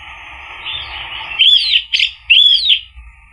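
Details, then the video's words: Orange-headed thrush song played as a lure to prompt a silent bird to answer and sing, in the full 'ngeplong' style: a low quiet warble, then three loud whistled, rising-and-falling phrases with short gaps. "PANCINGAN ANIS MERAH agar NYAUT jadi BUNYI GACOR ikut NGEPLONG"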